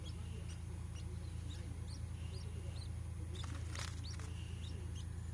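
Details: Two-day-old domestic quail chick, hatched in an incubator: rapid series of thin high peeps, about two per second, above a loud low hum and a burst of broadband rustling.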